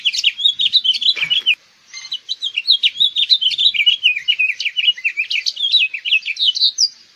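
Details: House Finch song: a long, fast warble of varied high slurred and twittering notes, nearly continuous for about seven seconds with a brief pause after the first second and a half.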